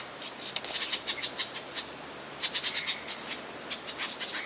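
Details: Lyrebird from Australia, known for mimicking other birds, performs rapid bursts of bright, high chirps and chattering notes in quick runs, with short pauses between groups.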